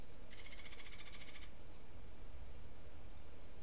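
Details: Martillito-style song of a Cuban grassquit: one intense, rapidly pulsed buzzy trill of just over a second, high in pitch, followed by quiet with a low steady hum beneath.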